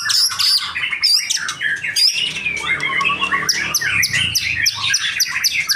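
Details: Young male white-rumped shama delivering a dense, energetic song of varied whistles, rapid chirps and sharp downward-sweeping notes repeated in quick succession, with low background rumble.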